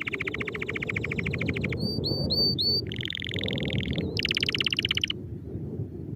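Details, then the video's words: A Belgian canary sings fast trills in changing phrases: a rapid rattling roll, a few high rising whistles, then buzzier rolling trills, over a low background rumble. "canary singing | canary songs | canary sing | canario canto"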